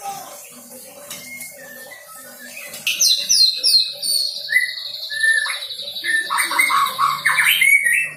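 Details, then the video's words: Young white-rumped shama, just past its spotted juvenile stage, practising song with fill-in material: a quiet start gives way to loud varied whistles, a sustained high trill and rapid rising-falling notes. "MURAI BATU PASTOL GACOR BELAJAR BAWA MATERI"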